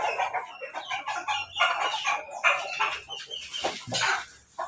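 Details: Morning feeding of chickens crossbred from Pelung, Bangkok and Ketawa breeds: a dense, continuous jumble of clucks and harsh calls from a crowded flock.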